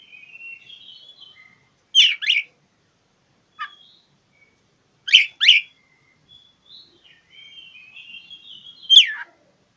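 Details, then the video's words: Magpie-robin challenge song for provoking mute birds. Long thin wavering whistles are broken by paired harsh falling notes, a single sharp slur midway, and a final loud descending note. "Kicau KACER cari LAWAN"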